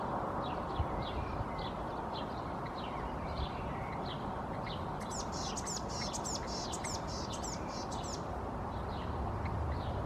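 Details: Eurasian blue tit perched in a tree in Helsinki, Finland, in May, preening and calling hoarsely: a steady series of short high notes, then rasping buzzy bursts for a few seconds, over a constant roar of traffic.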